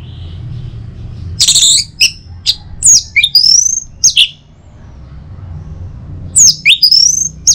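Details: Singing orange-headed thrush, played in the morning to get other birds singing. Scattered loud phrases of rising and falling whistles and harsh notes, separated by a quieter stretch with background hum.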